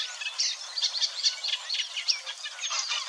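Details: Eurasian reed warbler singing in the wild at Wetering West, Overijssel, the Netherlands, in early May 2022. It gives a contented, burbling chatter with a little mimicry: scratchy, rapid, high notes running on without pause over a hiss of background.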